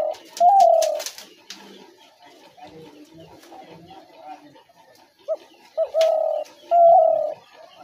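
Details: Trap-lure recording of a spotted dove: soft low cooing phrases, each a quick note followed by drawn-out mellow coos, separated by a murmuring pause and some clicking noises.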